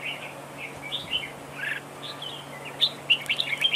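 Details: Red-whiskered bulbul duel song from a decoy bird at a trap: slurred warbling phrases, then a quick run of bright clipped chirps near the end; faint steady hum in the background.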